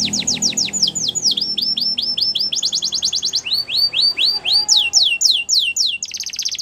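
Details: Belgian canary singing a fast, loud song of repeated high downward-sweeping notes in rapid trills, about four per second, shifting between phrases and ending in a dense buzzy high trill.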